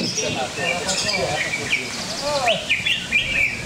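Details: Competition greater green leafbird at a Cikeas contest arena: chattering voices at first, then bursts of bright, clipped whistles and quick slurred chirps near the end.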